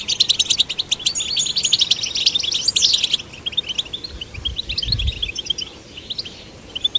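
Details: Goldfinch chicks, male and female, encouraged to sing; a loud burst of dense twittering and trills for three seconds, then quieter scattered chirps, with a low thud midway.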